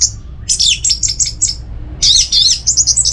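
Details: Captive orange-headed thrush kept at home in Singaraja, North Bali, singing rapid, varied phrases of high whistles and chattering notes in two bursts, with a faint low hum behind.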